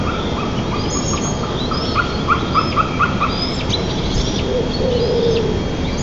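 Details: White-tailed eagle pair at their nest 35 m up in Nizhnyaya Kama National Park, 9 May 2024 at 03:44; a quick series of about seven short, even yelping notes, with thin songs of small birds and a steady rushing hiss behind.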